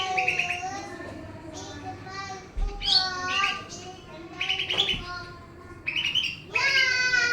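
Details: Pakpak-type greater green leafbird in full song despite surrounding noise, giving quick bursts of chirps and twittering notes about every second. Voice-like harmonic sounds and background commotion run throughout.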